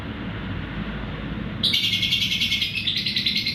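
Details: Lovebird ngekek trill for teaching other birds: a low background hum, then a sudden onset of fast, buzzy, pulsing high chatter that continues to the end.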